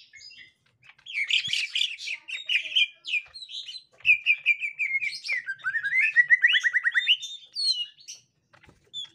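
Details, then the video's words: Green leafbird of the gotri type with a young forest green leafbird: clusters of buzzy chirps, then a rapid trill of descending whistled notes and a few final chirps. "Tingkah Cucak Ijo Gotri Saat Di Temukan Cucak Ijo Muda Hutan"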